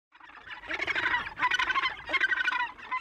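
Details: Gannets at Tongariro: many birds calling at once in a continuous chorus of harsh, croaking, overlapping cries that rise and fall in loudness.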